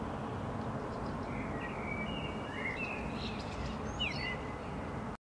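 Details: One Common Blackbird (Turdus merula) on a rooftop in Helsinki, Finland, in May 2013 sings mellow, fluty whistled phrases with a few sliding notes, partly drowned by a steady low rumble of distant traffic.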